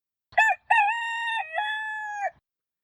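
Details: Domestic chicken rooster crow, the classic cock-a-doodle-doo descended from the red junglefowl's crow: a short opening note, then a long, slightly wavering crow with a brief dip and a strong, drawn-out finish.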